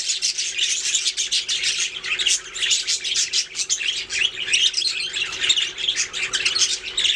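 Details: Budgerigars singing and chirping, a steady flock chatter of rapid high twittering notes and brief squawks, unbroken throughout.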